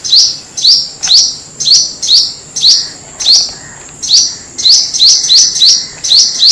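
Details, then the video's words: Black-throated Sunbird song played as a lure for birds: thin, high upslurred notes given singly or in quick runs, roughly every half second, with a steady faint high tone between them. "Hút mật họng đen, tiếng hút mật họng đen chuẩn không tạp âm"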